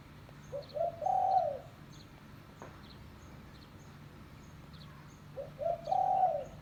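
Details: Spotted dove call used to lure wild doves: two phrases of soft low coos, short rising notes leading into a longer drawn-out hooting coo, about five seconds apart, faint high chirps of other birds behind.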